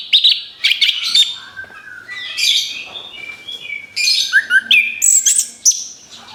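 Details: Orange-headed thrush, singing as a lure for other birds; bursts of high chirps and scratchy whistles, then clear downward slurs and shrill rising notes, with a faint steady low tone.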